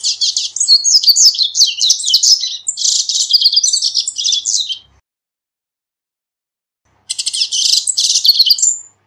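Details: Singing corbatita, used to teach birds their song and to call them: two long phrases of quick, high, buzzy twitters and slurred notes run together, a pause of about two seconds, then a further rapid phrase.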